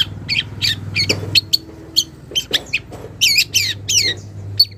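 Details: Young wild long-tailed shrike calling a rival: scratchy squawks mixed with sharp whistled chips and a few downward-swept rasping notes, low hum behind much of the recording.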